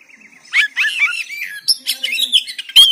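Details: Short burst of oriental magpie-robin song from Banten, phone-recorded as training audio: a soft warbled lead-in followed by loud slurred whistles and scratchy notes.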